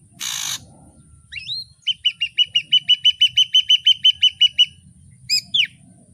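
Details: Ashy drongo song variation: a short noisy burst, then rising slurred whistles leading into about fourteen clear, high whistled notes repeated at an even pace, ending with a few looping whistles.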